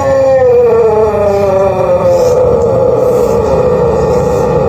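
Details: Long crow of a Pelung chicken, an ornamental breed from Cianjur, West Java, Indonesia. The drawn-out tone sinks slowly in pitch over nearly five seconds, over a steady low rumble.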